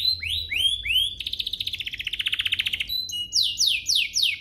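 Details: Canary song meant to set other canaries singing: a few descending whistled sweeps, a pulsed buzzy rattle of about twenty beats, then loud downward-slurred whistles repeated quickly.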